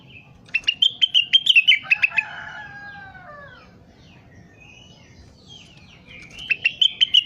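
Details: Crested partridge in full, active voice, recorded for tutoring other birds: a fast stuttering series of bright high chips dropping slightly at its end, a faint warbling in between, then another short burst of chips.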